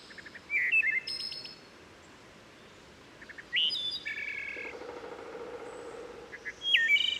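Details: Wood Thrush near Havre de Grace, Maryland, at steep Herring Run stream, forest echo softening the song: three phrases of low notes, fluted whistles and buzzy trills, with woodpecker percussion as rapid low pulses in the middle.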